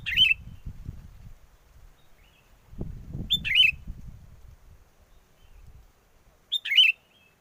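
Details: Lure song of a sooty-headed bulbul for bird trapping, wind blowing hard: three short, rich, warbled phrases about three seconds apart, with wind gusts rumbling between them.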